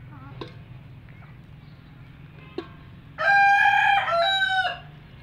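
An Aseel rooster gives one loud, hoarse crow lasting about a second and a half, with a brief catch midway and a falling end, over a faint low hum.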